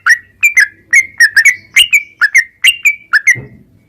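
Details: Yellow-vented bulbul singing gacor in ropel style as a stimulus for other birds: quick, bright chirping notes, some paired, tumbling along at about four per second.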